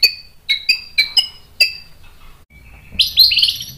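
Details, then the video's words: White-rumped shama song meant to rouse other shamas: a string of sharp separate whistled chips roughly every quarter second, a thin whistle, then a dense rapid warbled flourish. "MASTERAN MURAI BATU memancing EMOSI jadi NYAUT GACOR"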